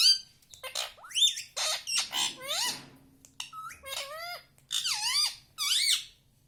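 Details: Pet green parrot, tagged as a ring-necked parrot, at home imitating words. Its mimicry comes as a string of short, squawky, nasal syllables with swooping rising and falling tones, about eight bursts in quick succession, in a quiet indoor room.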